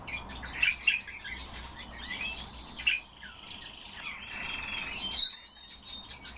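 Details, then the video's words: Captive pet common starling performing its song when asked: clicking, rattling chatter and a long wavering whistle, with sharp high notes at the end. "Sturnus vulgaris- СКВОРЕЦ"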